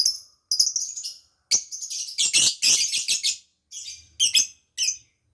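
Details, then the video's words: Lovebird chattering song meant to call back escaped birds and quickly trigger mating urge in other lovebirds; bursts of harsh, piercing twittering separated by brief silences, with sharp single squeaks near the end. "KICAU LOVEBIRD MANTAP.., BUAT PANCINGAN ATAU MANGGIL BIRAHI LOVEBIRD LAIN"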